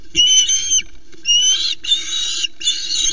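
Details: An osprey at the Loch Arkaig nest, Scotland, on 1 September, when a male brought three small flounders, gives four high, harsh whistled calls, each under a second long, about one every three-quarters of a second, over a steady low hum.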